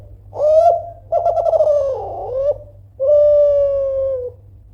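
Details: Loud Kelantan spotted dove, a persistent caller meant to goad rivals into replying: a short coo, a rough throbbing trilled phrase that falls away, then a long steady drawn-out coo, with faint low hum beneath.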